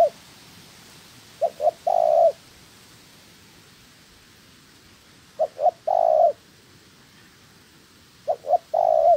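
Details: Decoy spotted dove in training for bird trapping, cooing in three repeated phrases about three seconds apart, each made of two brief notes and a drawn-out, even coo. The background stays quiet.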